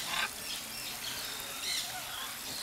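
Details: Courting macaw pairs perched at Iguazú Falls give harsh, raspy squawks, two bursts about a second and a half apart, over a steady hiss of background noise.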